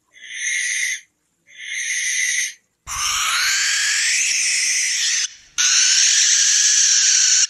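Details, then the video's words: Barn owl at night gives two harsh, hissing screeches about a second each, then two longer, rasping, drawn-out shrieks, all high and breathy. "লক্ষী পেঁচার ডাক | Lokkhi Pechar Dak | Barn Owl Call at Night | Barn Owl Screech Sound"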